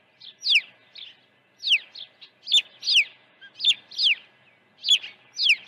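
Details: Osprey at a ranch nest, morning feeding on 1 June 2019: steady series of high, clear, falling whistles, usually paired, repeated about every second.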